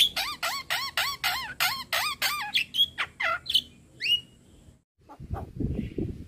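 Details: Javan myna master song for training other birds, played daily: a quick run of repeated squeaky, wavering harmonic notes, then rising whistled slurs, followed by a short silence and low rustling noise.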